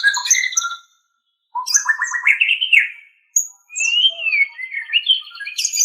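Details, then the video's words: Training recording of a white-rumped shama: rich bursts of warbled, rising and falling whistles with a rapid stuttering rise, separated by two short silences, ending in sweeping high notes. "Ocehan Suara Burung Murai Batu"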